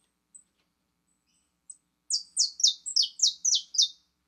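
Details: A few faint high peeps open, then the 'fibra' saffron finch launches into a fast, even series of eight bright, descending chirped notes, each loud and crisp.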